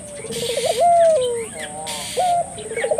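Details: Puter dove in full voice to lure local doves into calling: a quick rolling trill that swells into a long level coo, then a second trill begins, with faint chirping of other birds.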